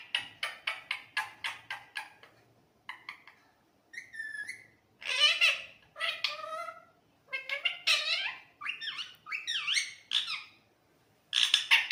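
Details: Parrot talking nonstop in its real voice; a rapid series of clicks and short chirps, then varied whistled, warbling and speech-like phrases that rise and fall, with sharp bright squeaks toward the end.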